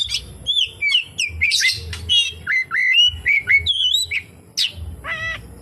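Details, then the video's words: Oriental magpie-robin song packed with kapas tembak mimicry, a fast run of whistled slurs and buzzy chips ending in a nasal, harmonic upslurred note. "SUARA BURUNG KACER, FULL ISIAN KAPASTEMBAK"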